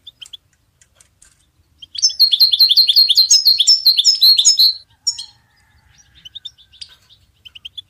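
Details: Goldfinch singing to support the training of songbirds. A few thin chirps lead into a three-second, fast series of repeated tinkling notes, then a quieter, scattered chirp sequence.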